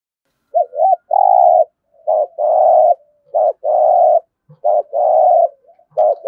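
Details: Spotted dove in 'thúc gù' urging-coo style, meant to get other doves calling: repeated phrases of a brief clipped note followed by a sustained hollow coo, about four phrases in quick succession. No other sounds.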